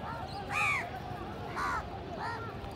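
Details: Indian house crows in a village, many feeding together and fighting over food: three loud, harsh, nasal caws, the first longest and strongest, spaced about a second apart over a low rumbling background.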